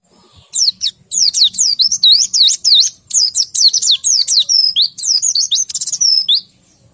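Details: White-eye said to be low in breeding condition and not in full voice: a dense, rapid run of high, thin whistled notes, each sliding down and up, pouring out almost without pause for about six seconds, with short breaks.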